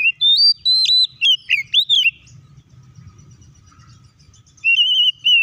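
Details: Oriental magpie-robin singing to provoke rival magpie-robins into song: a quick run of varied whistled notes and dipping slurs for two seconds, then a pause with low rumbling hum, and a sustained level whistle returning at the end.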